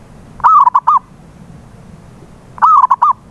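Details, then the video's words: Local zebra dove cooing, offered as a lure to make a silent perkutut sing: two resonant phrases, each opening with a sliding note followed by quick short coos, separated by a quiet gap of about two seconds. "PANCINGAN SUARA PERKUTUT BISU"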